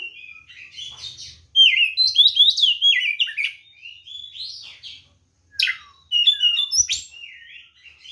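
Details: White-rumped shama fighting song for provoking other birds: fast cascades of whistled notes with zigzag pitch, loud bursts at about two and six seconds, softer chatter between.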